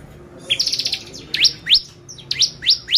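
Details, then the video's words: Bar-winged prinia lure song to make other prinias excited: a short buzzy trill followed by four or five sharp, rising, whip-like chirps spaced about half a second apart. "PANCINGAN CIBLEK GACOR bikin burung ciblek EMOSI !!"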